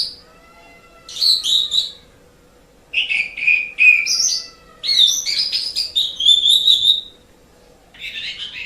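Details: Song of an Asian pied starling, played to train pet birds: phrases of rich whistles mixed with grating, buzzy chatter, each burst lasting one to two seconds, with pauses between.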